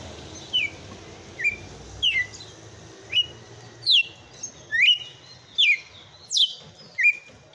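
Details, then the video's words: Kept red-cowled cardinal singing a forceful 'açoite' song: sharp whistled notes that slide steeply downward, given in a loose series about once a second, over a faint low hum. "TOME ESSE AÇOITE DE COM FORÇA DO MEU GALO DE CAMPINA"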